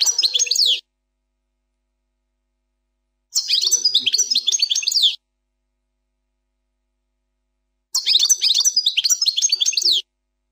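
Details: European goldfinch performing the Plak Mine song without mistakes: three separate bursts of rapid, high-pitched twittering and metallic trills, each one to two seconds long, separated by pauses of about two to three seconds.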